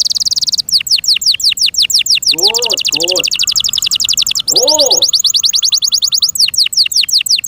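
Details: A pet canary kept and cared for by its owner sings loud, varied tours: a high rapid trill, then long runs of quick downward-slurred whistles and a thin steady tone, with a man's brief excited 'wow' exclamations underneath.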